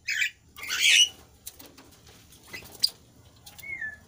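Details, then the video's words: Lively kasu kasu bird, used to lure lazy kasu kasu birds into singing. Two harsh, scratchy high bursts, the second longer, followed by scattered sharp clicks and a brief thin downslurred whistle near the end. "burung kasu kasu anda pasti akan merespon"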